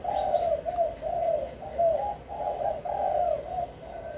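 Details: Spotted dove from Vĩnh Long singing in the kích bổi style used to provoke wild doves: a continuous run of soft, mellow coos, phrases rising and falling with short gaps between them.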